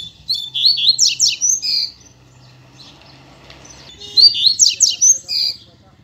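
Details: Male pet double-collared seedeater (coleiro) singing just after his female arrived: two loud bursts of quick, sharp whistled and buzzy notes about two seconds each, separated by a quiet gap with faint hum.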